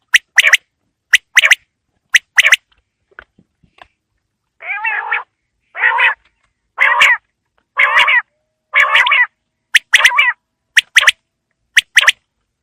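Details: Quail evening call in winter: sharp paired clicks at the start and end, framing six harsh, buzzy nasal notes delivered about once a second.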